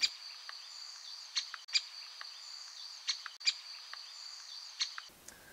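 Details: A great spotted woodpecker in the UK gives its contact call, sharp single "kik" notes, five in about four seconds and loosely paired, over a steady high insect drone.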